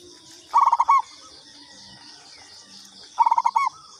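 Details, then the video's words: Two lure-call phrases of a local zebra dove, each a fast rolling run of low coos ending in a held note, about two and a half seconds apart, over steady insect-like hiss. "Pancingan Perkutut lokal katuranggan"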